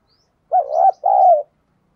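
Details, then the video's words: Decoy spotted dove cooing to attract wild birds; two short, mellow, slightly rough coo notes in quick succession, the second longer and gently falling. "Chim Cu Mồi thúc đấu và gáy gọi bổi nhanh nổi nhất hiện nay"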